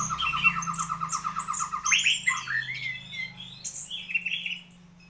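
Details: White-rumped shama singing a varied, rapid song: a run of repeated short notes, then sweeping whistles and harsh chattering phrases; a low hum runs underneath.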